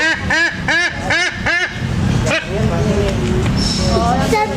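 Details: White-bellied sea eagle from Sumatra begging for food with four quick, harsh, arched honking calls. Mixed noise and fainter sounds follow.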